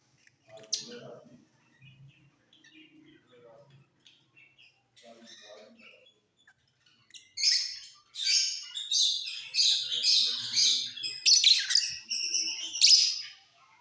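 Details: Mutation lovebirds singing in their flight cage outside the breeding season: scattered faint low notes at first, then a long continuous run of loud, scratchy, high-pitched chattering chirps lasting about six seconds.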